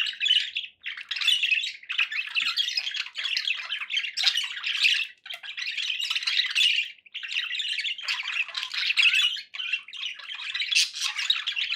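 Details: Several pet budgerigars chatter steadily, a long stream of harsh squawks, ticking notes and warbled phrases broken by a few short gaps.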